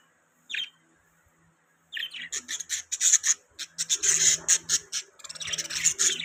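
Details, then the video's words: A single budgie chirp, a pause, then a fast run of high clicking chirps and raspy squawks from several birds. "Budgies Chirping Sound"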